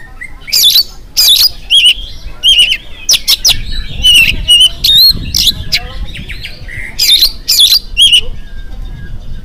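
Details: Oriental magpie-robin song in the morning, used to set off other birds: repeated loud bursts of wavering whistles and grating rasps, with softer twittering between phrases and a faint low background rumble.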